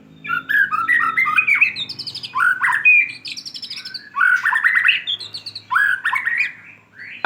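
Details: White-rumped shama after moulting delivers a full, rich, rapid song of varied chirps, rolling trills and rising whistles in dense phrases of about one to two seconds. Brief gaps separate the phrases.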